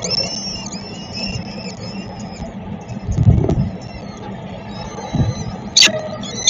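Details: Peregrine falcons at feeding, Dream Jump building, Szczecin, 22 April 2021: thin wavering whining notes run continuously over low city traffic rumble, with a sharp knock near the end.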